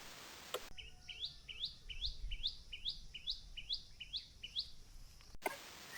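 An oriole gives a quick series of bright, rising chirped notes, about two per second, over a low background rumble.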